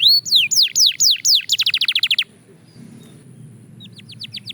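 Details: Belgian canary singing during training: a rising whistle, then descending slurred notes that accelerate into a quick trill, a short quiet gap, and a final burst of rapid clipped notes.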